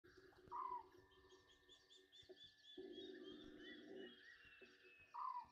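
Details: Egyptian geese bathing at night, 21:32 on 27 August 2023, at Gowrie dam waterhole on Djuma Game Reserve, Sabi Sand, South Africa, by live camera: two short, loud, falling honks about four seconds apart over a steady trilling night chorus.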